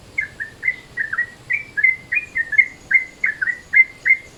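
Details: Yellow-vented Bulbul in midday mode, used as a lure: clean, evenly spaced chirps, each a brief bright slur, about three per second over a quiet background.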